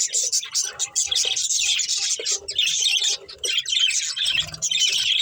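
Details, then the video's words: Several pet budgerigars, kept as love birds, playing and eating, keep up a dense, high-pitched chatter of rapid chirps and warbles with a few brief pauses and faint low knocks underneath. "Cute Budgies Chirping Sounds"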